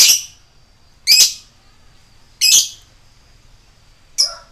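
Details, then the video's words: Lovebird calling 'koek' to provoke listening lovebirds: three grating shrieks spaced a little over a second apart, then a shorter fourth one. "suara Lovebird ngetik koek..bikin LB bahan yang dengar langsung emosi naik"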